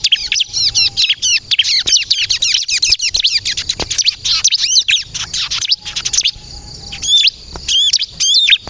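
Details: Bar-winged prinia singing the 'kristal' type meant for luring birds: long, fast runs of high hooked chirps and trills, then a brief lull and a few spaced ringing whistles at the end.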